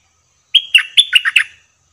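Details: A caged bulbul used to lure birds during trapping sings one crisp phrase: a steady whistled start, then five quick warbled notes dipping and rising in pitch.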